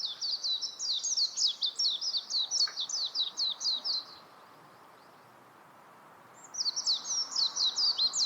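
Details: Warbling white-eye with an extended fast high warble of chirping notes, a brief pause, then a second lively burst.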